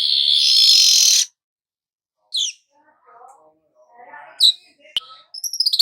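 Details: Weaver song meant to bring on busy nyerut-style singing: a dense, buzzy high sizzle of over a second, then silence and scattered sharp chirps, soft lower twitters and a click.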